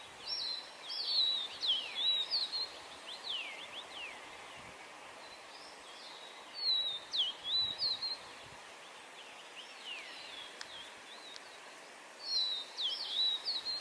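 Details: Yellow-bellied tit (Pardaliparus venustulus), call.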